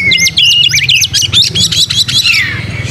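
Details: White-rumped shama in vigorous song, tail spread: a quick string of sharp rattling chips mixed with clear whistles, ending on a long descending slur, with a low hum underneath.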